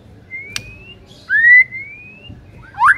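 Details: White-rumped shama master song used to coax silent birds into singing: a few long, pure whistled notes, mostly level or gently rising, then a sharp upward-curving whistle at the end, with quiet pauses between.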